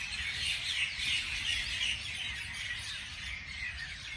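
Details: Outdoor morning chorus of birds: a thick wash of high, rapid chirps and squeaky notes, louder in the first two seconds, over faint low background noise.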